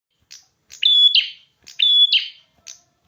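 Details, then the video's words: Red-headed prinia singing vigorously: two phrases, each a short buzzy note leading into a steady high whistle that ends in a harsh burst, with faint ticks between. Quiet background. "Burung perjak kepala merah gacor"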